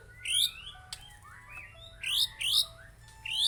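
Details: Aceh white-rumped shama song of bright high whistled phrases, quick upward-sweeping notes and twittering bursts in short spaced groups, with a few thin steady tones between them.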